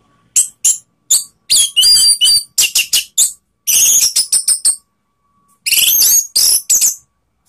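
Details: Orange-headed thrush from Indonesia, loud provoking song meant to rouse rival birds: bursts of harsh, scratchy notes mixed with high whistles, delivered in clusters separated by short silences, with a longer pause before a final dense phrase.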